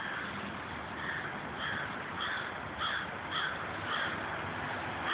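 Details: Group of crows in old trees near Victorian houses in Corn Hill, Rochester, New York; a series of short hoarse caws repeated about every half second over steady loud background noise.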